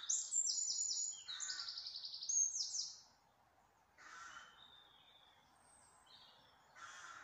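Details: Outdoor birdsong opening with a loud, fast run of high trilled notes, followed by quieter separate bursts of chattering and thin high twitters against a light background hiss.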